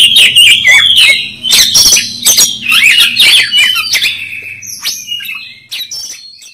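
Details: Oriental magpie-robin singing aggressively with tail open during a fight: loud rapid burst of whistles and harsh notes, then thinner, higher whistled phrases fading toward the end.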